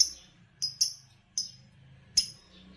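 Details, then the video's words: Green Fischer lovebird, a breed that wins song competitions in Indonesia, giving four sharp, shrill chirps, very high and clipped, two close together then spaced about half a second apart, over a faint low hum. "Lovebirds Chirping Sounds"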